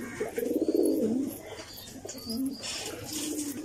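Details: Throaty pigeon cooing with a strong warbling coo early, dipping in pitch, followed by quieter coos and faint higher chirps.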